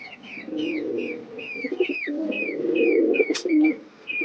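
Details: Domestic desi pigeons in a home loft: low, throaty cooing rolls on steadily as a pigeon calls and a female calls in the background, with bright chirps from other birds overhead.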